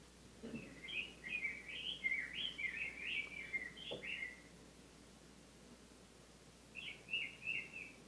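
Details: Rose-breasted grosbeak at Stewart Park, Ithaca, New York, in the earliest-ever sound recording of a singing bird: a rich, sweet, robin-like warble of rising and falling phrases, pausing, then resuming briefly; faint background hiss.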